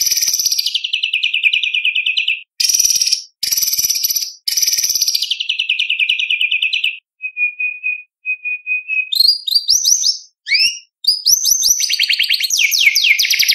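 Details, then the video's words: White-rumped shama delivering 'isian' fill song for competition: long buzzy descending trills, a few soft even whistled notes, then quick upslurred whistles and rich rolling trills. "Murai Batu Gacor Full Isian ~ Full Tembakan Materi Lomba"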